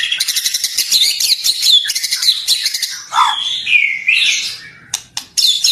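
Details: 2024 tutoring recording of white-rumped shama for captive birds: busy, high chattering phrases and squeaky notes, with a few clicks and sharp accents toward the end.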